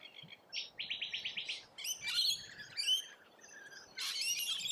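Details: Rainbow lorikeets in Australia call while feeding: a quick series of buzzy, evenly pulsed rasps, then scattered sharp screeches and squeals in separate bursts against a quiet background.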